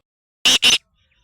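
A black francolin gives two harsh, rasping notes in quick succession, each lasting a fraction of a second, followed by near silence.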